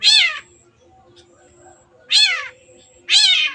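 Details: Long-tailed shrike, energetic singing used as a lure to prompt birds to sing: three loud, grating, nasal notes with downward-curving tone, spaced about one second apart, with near silence between.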